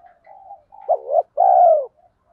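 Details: Caged spotted dove used as a lure, 'thổ pha' style with rapid 'thúc gù' cooing meant to provoke wild birds into answering: faint low murmurs, then a hoarse double note and a long drawn falling coo.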